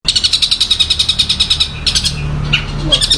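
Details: Long-tailed shrike singing in imitation of a tree sparrow and a tiger shrike: rapid rows of sharp high chirps, about six per second, then brief varied notes, with a low steady hum beneath.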